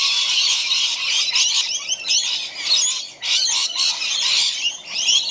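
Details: A flock of wild rainbow lorikeets being fed in a backyard chatters without pause, a dense mix of shrill, scratchy screeches and squeaks overlapping from many birds at once.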